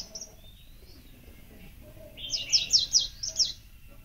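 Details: Small songbirds, named as magpie-robins, rock sparrows and flowerpecker-type birds, give a quick burst of high, bright chirps after a few faint thin notes.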